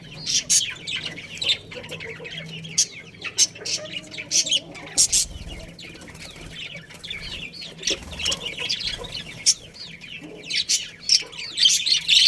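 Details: Budgerigar colony with a breeding pair chattering: many overlapping twittering chirps and short warbles, punctuated by sharp clicking or scraping bursts scattered throughout, over a low background hum.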